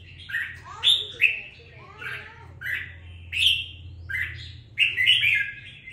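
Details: Captive red-whiskered bulbul, two weeks into being kept, delivering lively song: a chain of sliding, chirpy warbled notes, some rising, others dropping, accompanied by a constant low hum.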